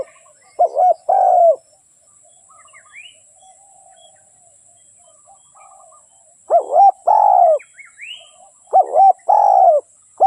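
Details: Dove giving repeated coo phrases, a short doubled note then a drawn-out falling coo, separated by a long quiet gap; a brief rising chirp from another bird and a faint constant high whine are also heard.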